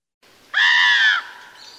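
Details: A single harsh, drawn-out call from an adult common raven, rough and slightly arched and lasting under a second, then a faint trailing note.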